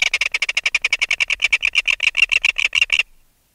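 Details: Red-billed tropicbird adult, taken from its nest, calling in alarm close up: a fast, even rattle of about twenty-five sharp, harsh pulses over three seconds, then silence.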